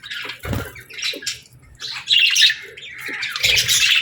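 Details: Parakeet chirping and chattering in uneven bursts of scratchy warble and squawks, separated by short pauses, with a few dull low thumps.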